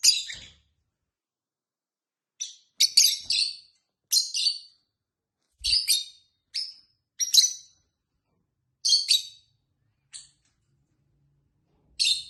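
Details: Tame pet lovebirds at home, a bird with its companion, chattering in a busy run of sharp, high, scratchy chirps, often doubled or tripled in quick bursts, with short pauses between groups and a faint low thump.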